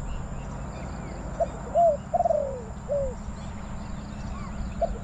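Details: Spotted dove used as a decoy at a trapping spot in Bang Li, Thailand, calling to wild doves: a short coo, a rising two-note coo, then a long drawn-out falling coo, with soft lower notes after and a steady low hum.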